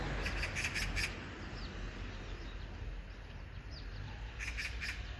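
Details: Magpie calling: a burst of four harsh, rasping chatter notes in quick succession, a quiet gap, then another short rattling burst near the end, over steady low background rumble with faint thin chirps from other birds.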